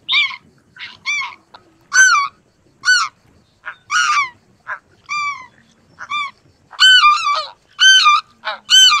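Greater White-fronted Geese give high, yelping two-note honks, often rising then falling, about one each second from several birds calling over one another.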